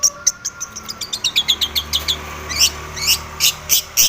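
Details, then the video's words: Long-tailed shrike singing aggressively as if seeking a rival: a fast series of sharp high chirps, roughly six per second at first, then louder spaced harsh notes; low steady hum beneath. "cendet gacor MENCARI LAWAN"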